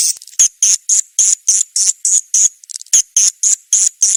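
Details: Kadita call sound for luring swiftlets to nest houses, made of evenly spaced, buzzy, high chirps roughly three per second, with a short softer flutter midway.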